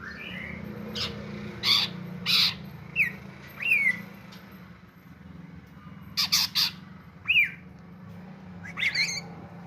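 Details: Greater green leafbird bait song meant to stir other birds into singing: loud harsh squawks in short bursts alternating with bright upward-sweeping whistled notes, separated by brief pauses, over a low background hum.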